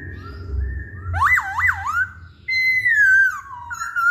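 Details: Masked laughingthrush lure song meant to provoke singing, in which soft whistles give way to two deep looping swoops, then a long bright whistle gliding downward and ending on a brief rising note.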